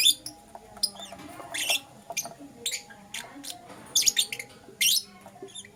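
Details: Lovebirds, Euwing Green Opaline and Lutino, chirping in the morning: sparse bursts of harsh, high chirps separated by short pauses, with a faint steady hum underneath.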